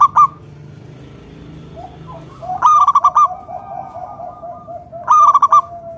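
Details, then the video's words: Local zebra dove (perkutut) singing loudly, used to lure other doves into calling: three bursts of rapid, pulsed, ringing coos, each about half a second long. Softer, lower cooing from other doves continues between the bursts. "PERKUTUT LOKAL GACOR SUARA PALING AMPUH UNTUK PANCINGAN BURUNG PERKUTUT AGAR NYAUT BUNYI GACOR"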